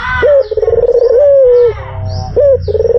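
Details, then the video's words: Deep, mellow coo of a white dove used to lure birds: a brief rising note, a pulsing stretch, then a smooth sustained tone. A second phrase begins at the end. "SUARA BURUNG PUTER PUTIH || PANCINGAN PALING AMPUH"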